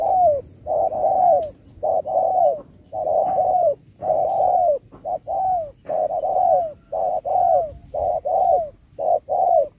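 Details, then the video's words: Spotted dove singing in a 2024 match, in the 'Thúc kèm Bo' style with shifting rounds: loud, clear, down-slurred coo notes in quick runs, about one per second, with uneven gaps. "Bài lối Thúc kèm Bo tráo trở nước như chim ngoại"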